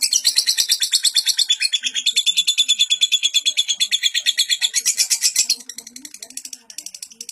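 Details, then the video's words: Long, unbroken lovebird song meant for tutoring young lovebirds; rapid high chattering pulses in a steady stream, dropping off to softer scattered chirps near the end, with faint low cooing underneath. "Burung lovebird durasi panjang tanpa jeda.. Cocok buat masteran lovebird paud"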